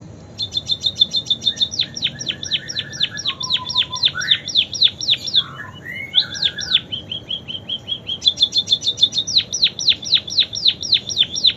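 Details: Munia singing with canary song imitations: rapid series of sharp descending whistled notes repeated about four per second, broken by short rising trills and lower warbled phrases, clear and continuous.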